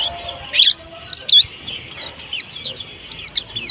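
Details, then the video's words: Young Indonesian white-eye, the white-breasted pleci monty, learning to open its voice. Sharp high tweets and short rising and falling notes come in quick clusters, with steady low background hiss. "PLECI MONTY BELAJAR BUKA PARUH"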